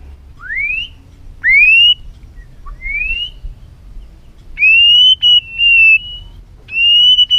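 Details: Many-voiced song of an excited white-rumped shama, used to stir rival shamas: slow, widely spaced clear whistles, some sharply rising, others long and level, separated by quiet gaps.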